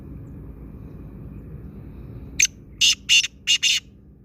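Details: Black francolin, known locally as kaala teetar, calling: after a quiet stretch of low hum, five harsh, grating notes in a quick rhythmic phrase, the first short and the rest longer.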